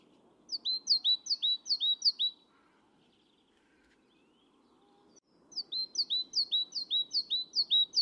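Great Tit giving bright, high two-note phrases that slur downward, five in quick succession, then a pause and another run, over a low steady hum.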